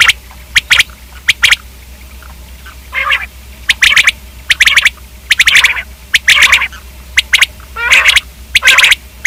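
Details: Common quail calls: crisp paired and tripled notes alternate with nasal, buzzy mewing notes in an irregular, steady chatter.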